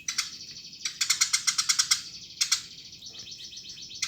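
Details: Eurasian tree sparrow in full voice: quick trains of sharp, buzzy chirps, one run of about ten notes in a second, then shorter bursts and a softer fading chatter.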